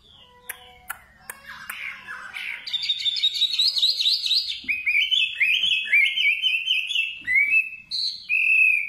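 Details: Nightingale song beginning with faint clicks and scattered chirps, building into loud bursts of twittering warbles and ending on clear high whistled notes.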